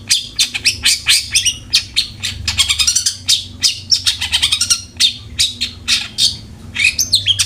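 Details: Long-tailed shrike in full song, meant to lure caged shrikes into singing: fast chattering phrases, buzzy trills and whistled notes in a steady stream with brief breaks and a low background hum.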